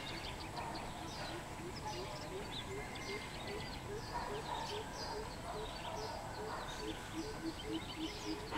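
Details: Greater coucal recorded 13 June 2020, giving a long series of low, hollow hooting notes repeated evenly several times a second under steady broadband background noise, with faint higher calls of other birds.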